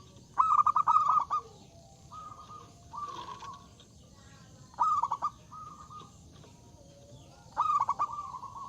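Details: Strong-voiced zebra dove singing to invite rivals to answer, three stuttering coo phrases each ending in a smooth sustained note, with softer level coos in between and a quiet hiss behind.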